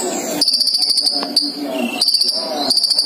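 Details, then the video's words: Male and female sunbirds housed together in a cage sing energetically, giving fast, high, sizzling note strings in repeated bursts, with one brief lower whistled note and a quieter murmur underneath. "kolibri ninja dicampur jantan dan betina jadi gila gacor nya"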